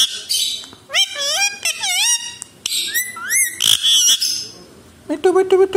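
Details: Alexandrine parakeet (desi tota) mimicking Hindi speech: wavering, voice-like whistled syllables rising and dipping in pitch, a rough burst near the middle, then a lower, buzzy, repeated note at the end.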